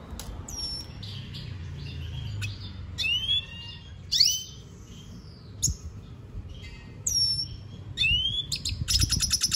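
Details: Lesser goldfinch giving scattered, widely spaced phrases: clear rising whistles and sharp high chips separated by pauses, ending in a short buzzy trill, with low background hum.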